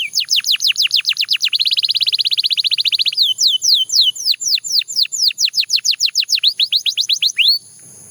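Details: The song of a Belgian canary: falling whistles, then a dense rolled trill. It moves into a brisk series of steep notes and closes on a single rising slur.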